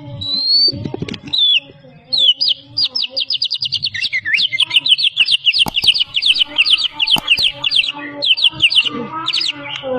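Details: Champion white-rumped shama from Medan, a competition bird mimicking many other species, giving a rising whistle followed by a long fast series of repeated sharp chirps with a faint low hum beneath.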